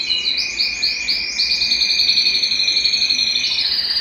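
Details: A Belgian canary sings a continuous, high rolling song of rapid trills and chirps over a steady whistled tone, with no other sounds. The song is used to warm up males and stimulate females.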